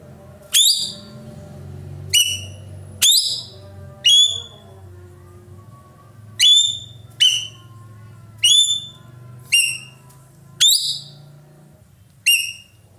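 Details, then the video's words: Roller, known as ekek keling, calling loud and persistently: a steady series of about ten sharp, ringing, downward-sliding notes, roughly one every second or so, over a low background hum. "burung ekek Keling gacor nembak"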